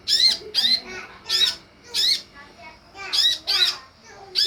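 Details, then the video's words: Harsh squawking from a sunbird lure used to draw a reply from other birds: grating, buzzy notes given singly and in close pairs at an uneven rhythm, with softer chatter underneath. "SUARA PANCINGAN DAN MASTERAN UNTUK SEMUA JENIS KOLIBRI"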